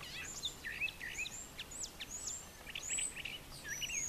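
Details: In the morning on a farm yard with brushy nest sites, a male brown thrasher pours out rapid varied phrases of slurred whistles and sharp chips, one after another, with little silence.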